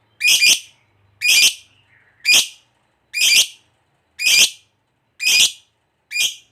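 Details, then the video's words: Lovebird of the fighter type giving harsh, buzzy chirps repeated about once per second, seven in a row, with faint low hum between calls. "Suara Burung Lovebird Ngekek Panjang, TOP Buat Pancingan Lovebird Agar Cepat NGEKEK"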